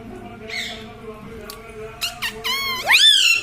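An Indian ringneck parrot talks in a squeaky, high, nasal voice: a few quick word-like syllables that bend up and down, ending in a rising squawky phrase over a low room hum.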